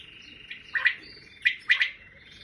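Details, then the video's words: Wild common quail giving a quick liquid phrase of three short notes, moderately faint, over a quiet, even background hiss. "Дикий перепел/бедона бьет/поет"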